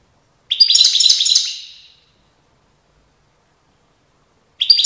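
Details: European goldfinch singing in Tiaret, 2019: a burst of bright, tinkling, twittering notes lasting about a second and a half, fading out, then silence before another phrase begins.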